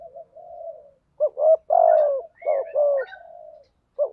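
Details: Male and female spotted dove calls meant to lure wild doves: soft level cooing, then sharp rising double coos and a long falling hoarse note, repeated with a high slurred chirp overhead.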